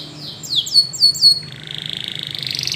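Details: Spanish Timbrado canary singing to train other canaries: three loud falling whistled slurs over a held tone, then a long rapid buzzy trill gradually rising in pitch.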